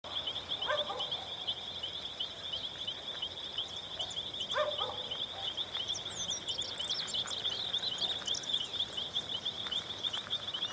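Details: Plumbeous ibis (Theristicus caerulescens) on Calle Irigoyen, Chajarí, giving two loud, harsh, stuttering bursts near the start and middle over a steady high insect drone, with thin chirps from small birds later.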